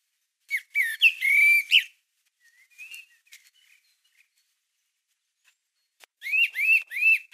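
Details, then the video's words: Common blackbird singing in a Hungarian garden in March 2020: a mellow, fluted phrase, then a soft twittering trail and a run of three or four arched, whistled notes. "Fekete rigó dala // Song of the Blackbird"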